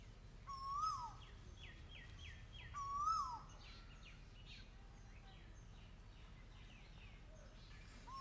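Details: Asian koel (Eudynamys scolopaceus), call.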